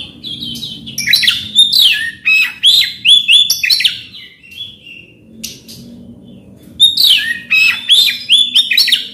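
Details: Oriental magpie-robin used as a prompt for a silent bird: lively strings of whistled, looping notes and harsh chatter, a quieter stretch of thin single notes, then another energetic burst.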